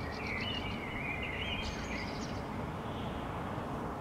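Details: A common blackbird (Turdus merula) on a rooftop in Helsinki, Finland, May 2013, gives a mellow, fluting warble of song lasting about two seconds, ending in a thin twitter, over a steady low rumble.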